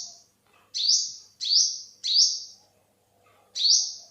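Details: Yellow-bellied sunbird, also named olive-backed sunbird, Thailand 2021: four drawn-out buzzy notes that swing upward and fade into a level hiss, three close together and one after a pause.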